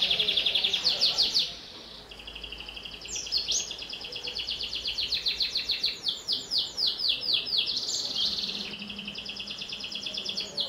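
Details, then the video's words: Vocal canary singing to prompt young birds: rattling high trills and series of rapid descending slurred notes, shifting tours every couple of seconds, with a brief pause early on and a faint low hum. "Suara Kenari Gacor, Pas untuk Pancingan Kenari Paud"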